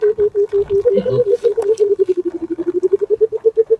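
Burchell's coucal gives its deep, hollow bubbling call: about thirty low hoots that speed up, dip slightly in pitch, then rise and slow again.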